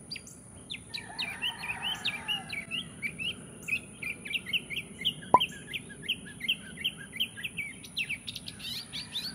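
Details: Bird song of rapid, repeated chirped notes in a steady rolling series, with a fainter warble underneath early on and a single sharp click near the middle.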